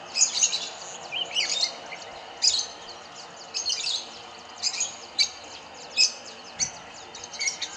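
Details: Feeding flock of Rosy-faced lovebirds in Kyalami, Midrand, Johannesburg, on syringa berries, yellowwood and pepper trees; sharp, piercing high chirps in short clusters roughly every half second to second, several birds overlapping.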